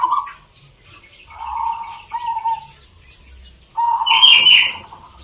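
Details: Zebra dove at a local song contest in Salatiga, Central Java; short rolling, trilled coos come in separate bursts with pauses between them, and a higher, brighter chirping from another bird breaks in near the end.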